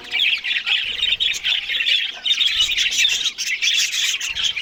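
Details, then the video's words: Budgies feeding on green food in the morning produce loud, unbroken squawking and twittering chatter of many overlapping notes, with faint low knocks in the background. "Australian Budgies morning Eating Green Food"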